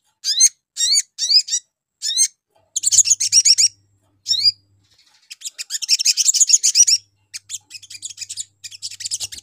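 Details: Sogon chirps meant to draw a response from other sogon: a row of separate rising notes, then long, dense, buzzy trilling bursts and a rapid chatter to the end.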